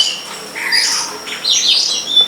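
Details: Long-tailed shrike (cendet pilis) at the top of a coconut palm behind a house, giving a short stretch of smeared, warbling high notes that rise and dip, over a faint steady whine.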